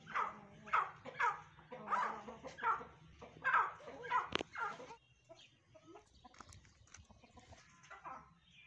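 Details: Grey francolin, or teetar, calling: a series of harsh, harmonic notes repeated roughly every 0.6 seconds for about five seconds, followed by fainter scattered calls over a steady low hum.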